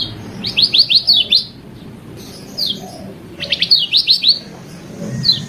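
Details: Varied song of a lemon-bellied white-eye from a training recording: short bursts of four or five quick, high downslurred whistles, repeated after pauses of about two seconds, over low background rumble.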